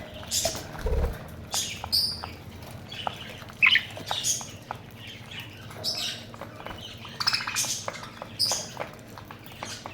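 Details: Pet budgerigars chattering with quick squeaky chirps, clicks and scratchy warbles, several birds calling at once.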